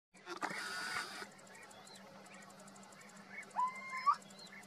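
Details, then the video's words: A Little Owl in Zafra, Badajoz, Spain, gives a single drawn-out, rising whistled hoot after a brief burst of rustling; a low steady hum and faint high chirps sit underneath. "Canto o reclamo del mochuelo europeo o común (Athene noctua)"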